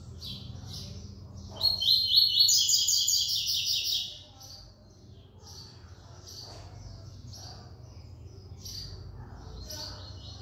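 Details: Captive double-collared seedeater (coleiro) kept in São Paulo, Brazil, singing with the 'encarte da 3ª nota' pattern. Soft high chips lead into a loud, rapid, rattling high trill lasting over two seconds, followed by evenly spaced short high notes about once per second.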